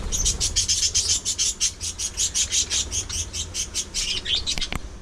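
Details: A budgie among playful, squabbling pet parakeets calls a long, insistent series of loud high chirps, about five per second and evenly spaced, ending in a few scratchy warbled notes.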